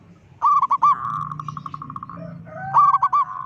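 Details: Loud local zebra dove calling to provoke other zebra doves. Two bursts of four sharp hooked coos frame a long, evenly pulsed purring trill, over a constant low droning hum.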